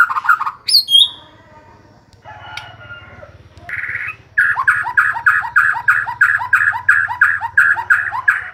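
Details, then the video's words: White-rumped shama, described as singing day and night, giving a few high whistles, then a steady run of about fifteen rapid, evenly spaced, repeated song notes over a low hum. "Murai batu siang malam kicau terus"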